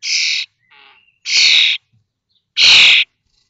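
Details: Common starling nestlings, three weeks old, fledging from a watched nest in Théding on 19 May 2024: three loud, grating, hissy rasps roughly a second apart, with a short softer buzz after the first.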